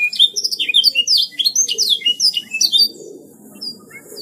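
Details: A canary sings rapidly in gacor style: a tight cascade of sharp high chirps and whistled slurs, then a fade to a few soft, distant notes in the final second.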